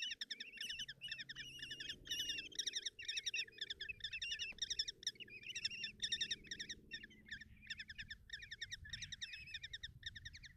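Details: Common kestrel chicks begging at a nest box in Tiszalök, Hungary, on June 30, 2024, while the mother brings breakfast and feeds them: dense rapid trills of harsh chittering notes, repeated in quick bursts, with faint low rumbling behind.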